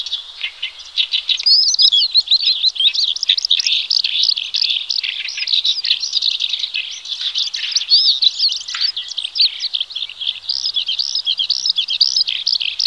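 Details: Horsfield's bush lark in full, lively song meant for training other birds: a long, dense medley of high chirps, twittering trills and rapid varied notes without pause.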